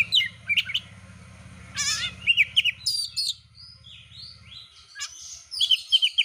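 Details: Champion Oriental magpie-robin in full song, used to provoke competition birds into singing: sharp high notes, a warbling trilled phrase, then varied whistles and quick sharp calls. A low droning hum runs under the first part.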